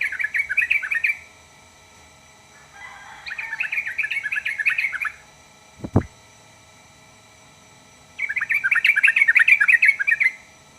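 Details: Sooty-headed bulbul song, said to make other birds of its kind answer at once: three bubbly, chattering phrases of quick warbled notes, each lasting one to two seconds, with a single dull thump between them.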